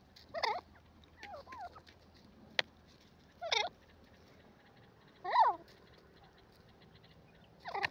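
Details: Grey francolin (gora teetar) giving spaced, quavering, downward-swooping calls about every two to three seconds, with softer twisting notes and one sharp click among them.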